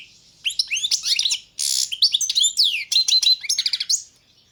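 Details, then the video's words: Goldfinch of the Balkan race performing its competition song for the 2022 internet championship: tinkling twittered phrases, a harsh rasping buzz midway, then clear downslurred whistles and quick trilled notes. "Pesma štiglića 005/22 World Championship in Goldfinch Song"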